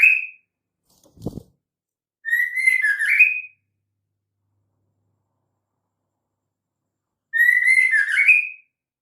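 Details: Female white-rumped shama calling, a sound used to lure males into singing: two rich whistled phrases about five seconds apart, each a rising slurred whistle with warbled notes. A short knock sounds between them.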